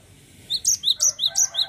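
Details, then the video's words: Short stretch of Cinereous tit rolling song: four or five sharp high two-note phrases in quick succession, each a lower note rising to a piercing higher one. "GELATIK BATU GACOR NGEROL"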